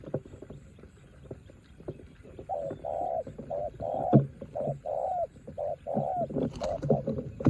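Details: In the rain, a spotted dove kept as a decoy duels with a wild dove, giving repeated soft, husky coo phrases in an uneven rhythm. A sharp knock sounds midway, and rain noise runs underneath throughout.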